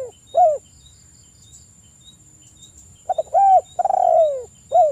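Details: Mellow, falling spotted dove coos used to trigger other doves into song. A short coo is followed after a gap by a stuttered start, a level coo, a long sliding coo and a quick final note. Crickets and a steady high whine sound faintly.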